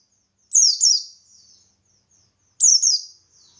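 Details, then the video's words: Ngalas-style song of a buxtoni white-eye, meant to stir rival white-eyes to answer: two bright double-note phrases, each a piercing downward slur, with soft trailing twitters after them. "Burung Pleci Buxtoni Gacor Ngalas Memancing Emosi Paling Ampuh"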